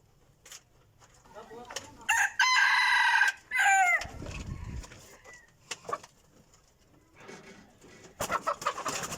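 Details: Decoy rooster, said to crow very well, gives a loud rough crow of about two seconds with a held middle and a drooping close, followed by a thump and later rustling.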